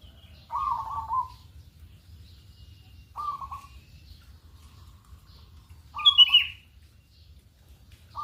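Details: Local zebra dove calling on a morning lure track: brief trilled coos spaced about two and a half seconds apart, one joined by a sharp high chirp from another bird, with quiet gaps between.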